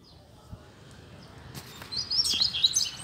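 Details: Double-collared seedeater living free in a neighbourhood: after two quiet seconds with a few faint clicks, a short burst of rapid, high twittering song closes the recording.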